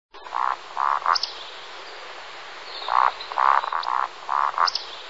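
Eurasian woodcock giving soft, low croaking grunts in short runs of two or three, each run capped by a sharp, high squeaky 'tsiwick'. Faint background hiss.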